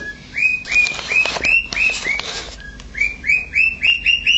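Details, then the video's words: Pet cockatiel, a male, imitating a siren: a run of short rising whistled notes, about three a second, interrupted midway by wing flaps and a few soft chirps, then resuming. "Birdie siren impersonation"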